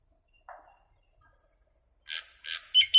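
Common myna giving a short nasal note and a thin whistle, then three loud, harsh, rasping squawks in quick succession, the last ending in a shrill whistled edge.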